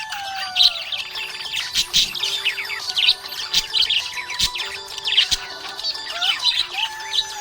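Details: Budgerigar chirping happily in rapid rising and falling twitters with louder chirp bursts, set against sustained background music notes and a few faint taps.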